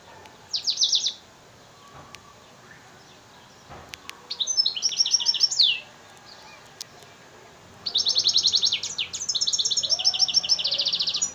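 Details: F1 hybrid of African singer and Mozambique serin from Souk Ahras, singing three bursts of rapid, high, trilled notes separated by short pauses, with the last phrase long and run together from shifting repeated notes.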